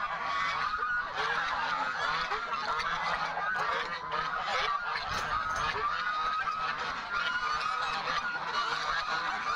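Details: Many Chinese geese honking loudly as they are let out in the morning during farm chores in August, storm expected; continuous overlapping harsh honks from a flock, with occasional human voice.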